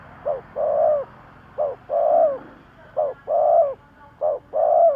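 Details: Spotted dove kept as a decoy to lure wild doves, cooing in repeated pairs. Each pair has a short note and then a sustained coo, four pairs in a steady rhythm, over a low background hum.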